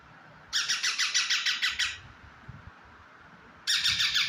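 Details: Talking pet parrot: a burst of rhythmic, grating squawks lasting over a second, a quiet gap with faint knocks, then another fast harsh series starting up.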